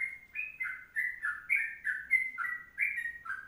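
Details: A Sooty-headed bulbul sings short bubbling whistled phrases in a long 'kongslet' tutor song, about two to three notes per second, varying slightly in pitch.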